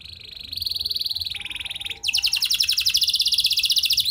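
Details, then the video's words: Canary singing to prompt other canaries into long song: a steady high buzzy trill that steps down in pitch, pauses briefly, then bursts into a louder, faster rattling trill held to the end. "Kenari Gacor Lagu Mewah! Buat Kenari Mana Saja Bakalan Langsung Ikut Gacor Panjang"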